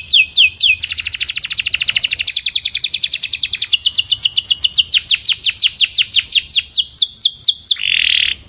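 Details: Canary training song for improving singing: a few falling sweeps, then a long rapid trill of sharp repeated notes slowing toward the end, closing with a brief buzzy burst, no other sounds.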